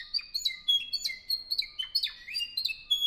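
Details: A 2015 Spanish Timbrado canary from Albacete, Spain, gives short rapid song: ringing metallic notes interleaved with quick falling chips, about three per second, all loud and clean.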